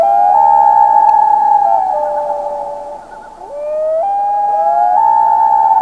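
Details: Common loons calling at night in summer on a lake in Canada's northern lake country: long, pure, mournful notes that hold, slide down, then step back up, with an overlapping voice at similar pitch, near a crackling fire.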